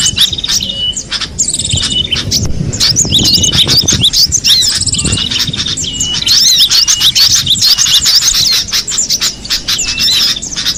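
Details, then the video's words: Cinereous tit in the wild, with dense, busy high chirps and short whistled twitters overlapping almost continuously, faint low rumble of outdoor background beneath. "suara burung gelatik batu di alam bebas"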